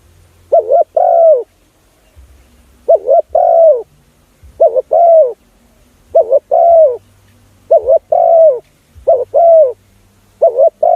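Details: Spotted dove call played to lure other doves: repeated mellow two-part coos, a quick wavering note then a drawn-out one. Seven phrases come at a regular pace, with faint low rumble between them.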